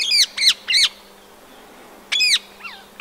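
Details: Rose-ringed parakeet in Empuriabrava, Catalonia, 26 January 2022, winter: three loud, rasping, arched screeches in quick succession, a pause, then one more screech and a softer answering call.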